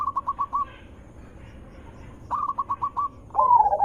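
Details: Zebra dove cooing meant as a lure for answering birds: a staccato string of five clipped coos, a quiet pause, another stuttered series, then a louder rolling trill.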